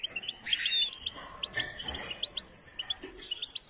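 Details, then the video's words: Goldfinch under song training gives scattered high chirps and a short bright whistled phrase, fairly sparse and quieter than a full song. "Step by step enhancing the goldfinch’s singing"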